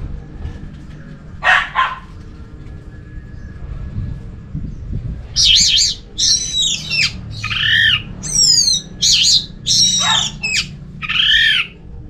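Orange-headed thrush singing loud, varied phrases of slurred whistles and harsh, buzzy notes, each under a second, delivered in a quick uneven string over a low background hum.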